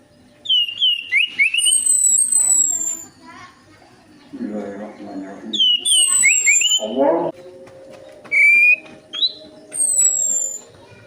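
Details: Orange-headed thrush song used as a lure to get reluctant birds singing: loud rising and falling whistled phrases with thin, high, descending whistles, two bursts separated by a duller noisy patch, then shorter whistled notes.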